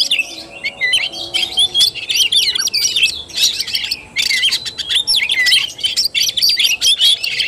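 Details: Tarung, or fighting-style, song of an Oriental magpie-robin, 17 August 2021. Fast tumbling phrases of shrill whistles and scratchy chirps run in bursts of about a second, broken by short gaps.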